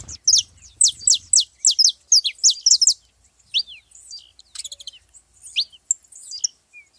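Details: Saffron finches gathered at a feeding spot, one of several birds: a fast series of sharp, high, downward-slurred notes, about a dozen in three seconds, followed by scattered thinner chirps from other birds.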